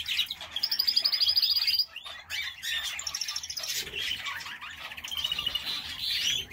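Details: Several canaries kept in an aviary: a sharp, very high rapid trill rattles for over a second, followed by mixed chirps, twittering runs and short buzzy trills from overlapping birds.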